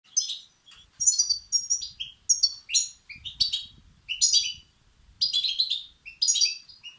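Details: European goldfinch chicks begging, played to stimulate and excite males: bursts of high, twittering, slightly harsh chirps in clusters about every half second to second, with short silent gaps between bursts.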